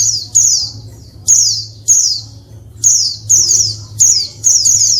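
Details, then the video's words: Calls of a female Oriental white-eye meant to provoke males into song, given as sharp high chirps sliding downward, single or in quick pairs, with a steady low hum underneath. "SUARA PLECI BETINA RIBUT BIKIN JANTAN LANGSUNG NGALAS"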